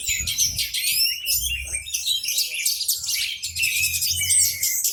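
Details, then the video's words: Orange-headed thrush held as a lure bird, singing hard with spread tail as others answer; continuous rapid high warbling and chirps, with low background hum. "Anis merah teler pules volume joss buka ekor pancingan burung yang lainya ikut bunyi"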